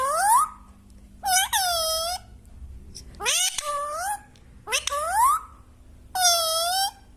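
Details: Parrot kept indoors repeating five strident, rising, nasal calls roughly every second or so, each sliding upward and then levelling off, with a faint electrical hum behind.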